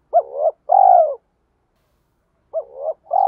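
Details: Decoy spotted dove cooing: two phrases, each a hoarse, quivering rising note followed by a steady falling coo, with a silence of over a second between them.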